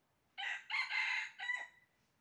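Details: Red junglefowl crowing during trapping, dated 20 January 2023: a loud, hoarse crow in three segments over about one and a half seconds, with a short first burst, a long strained middle and a fading final note, in quiet surroundings.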